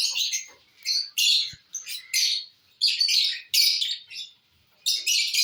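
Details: Pet lovebirds eating corn (bhutta) give harsh, buzzy, high squawking chatter in bursts of about half a second to a second, separated by short pauses.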